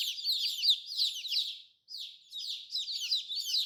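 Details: Several colorful baby chicks give busy, high, falling peeps in dense overlapping bursts, with a brief near-silent gap midway.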